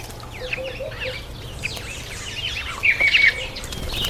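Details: Masked weaver during the September–October breeding season: a busy overlapping chatter of swizzling, downslurred and buzzy notes from several birds, with a louder scratchy burst near the end and a low steady hum.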